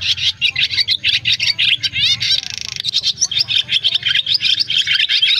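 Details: Swiftlets calling their flock to roost, recorded as a trapping lure: fast, scratchy twittering bursts, interrupted midway by a short run of quick sweeping chirps and a brief buzz, then resuming, over a soft hum.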